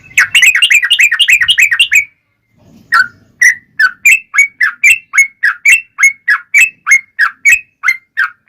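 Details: Fighting-style long rolling song of a yellow-vented bulbul, played to spur other bulbuls to respond; a rapid two-second bubbling trill, a pause, then a long steady series of clear whistled notes, several per second.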